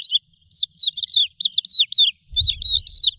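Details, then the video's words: Lark singing a run of clear whistled, slurred phrases, rising and falling and bunched into quick groups, with a short pause before a final burst; a faint low rumble joins near the end. "تغريد طائر قبرة الحقول(القوبع) Chant de Alouette des champs"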